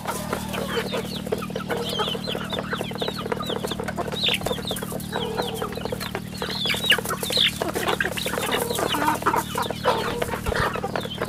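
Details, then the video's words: A crowd of chicks on a rural farm produces continuous shrill chirping, short falling peeps tumbling over one another, against a steady low hum. "Good chicks sounds in the farm"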